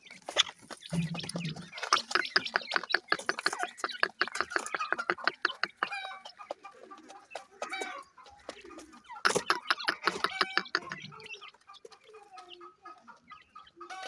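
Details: Deccan francolin with chicks in captivity. Rapid, dense runs of harsh clucking notes pour out for several seconds, then give way to sparser calls and high, thin chick peeps.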